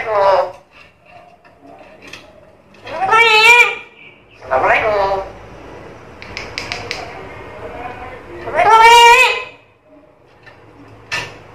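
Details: Chatty captive black-capped lory, said to talk and be very noisy; loud nasal, speech-like squawking phrases with rising harmonic bursts, separated by quieter chatter and soft clicks.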